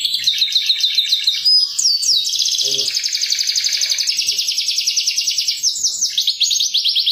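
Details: Canary lure chirping, a continuous bright song of rapid repeated trills and chirps, some phrases rising and others falling, with short buzzy rolls and a steady pulsed trill running through the middle; little background noise.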